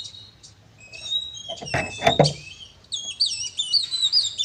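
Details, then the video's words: Oriental magpie-robin fighting song for provoking other kacer: soft, level whistles, a cluster of knocking thumps, then a livelier series of looping, wavering high whistles. "suara burung kacer gacor narung ini AMPUH buat pancingan kacer agar bunyi AUTO emosi"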